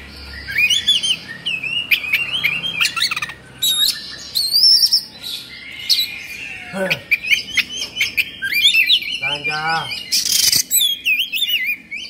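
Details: Oriental magpie-robin, agitated, fluffing and spreading its tail, singing a varied run of whistled and chattering phrases, with sliding notes, sharp clicks and a brief harsh burst near the end.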